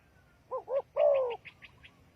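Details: Spotted dove lure call for trapping: two quick bent coos lead into a longer sliding note. A series of faint higher chirps follows, over a low background hum.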